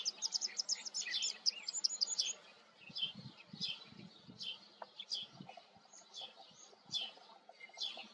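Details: White wagtail giving a rapid run of high, thin chirps at the start, followed by scattered softer high notes over quiet low rustling.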